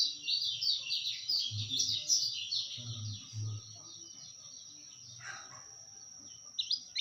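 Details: Kecial kuning white-eye, tutor and lure recording: a quick, high twittering warble in the first half that fades to quieter notes, with low background rumbles and a brief lower call near the end.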